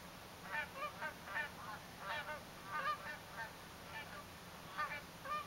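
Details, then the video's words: Canada geese at a winter sunrise on Salt Spring Island, Canada, recorded 2 February 2011, giving loud nasal honks in quick bursts, several birds overlapping, about two calls per second, over light background hiss. "The Sound of Canada Geese"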